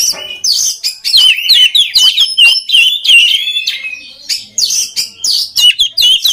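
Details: Oriental magpie-robin song meant to train other magpie-robins: quick series of slurred whistles and upswept notes, then short, sharp chirped bursts spaced in rapid succession.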